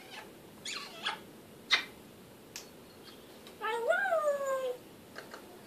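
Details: African grey parrot: soft clicks and taps, then one long harmonic call that rises and falls in a speech-like way, followed by faint clicking.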